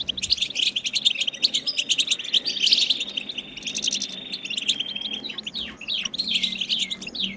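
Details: European goldfinch in batbata khalawiya song, used to stir goldfinches into singing: fast twittering chatter that flows into a held, sweet whistled note, then scattered downslurred chips and renewed twittering.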